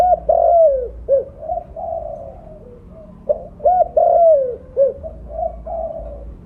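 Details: Lure call of a mottled spotted dove with a big voice: two cooing phrases, each a couple of short hoots leading into a long, slightly descending coo and a clipped final note, over faint low hum.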